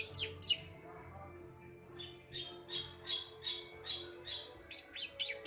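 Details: Young bar-winged prinia, three months old, in mriwik nembak song: two sharp high chirps, then a row of short buzzy notes repeated steadily, ending with more sharp sweeping chirps.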